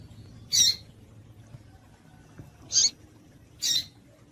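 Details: A female double-collared seedeater calls to make males sing: three isolated, high, sharp chips, the first alone and the last two about a second apart, with a soft low hum behind.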